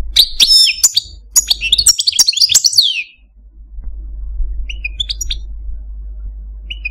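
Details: Caged male Algerian Parva goldfinch sings three seconds of sharp, high tinkling notes and slurred twitters, then falls mostly quiet with a few soft distant chirps over steady low hum.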